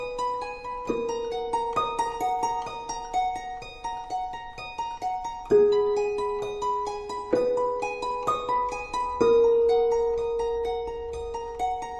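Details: Gentle plucked-string music with ringing notes over a soft background, and no animal calls at all.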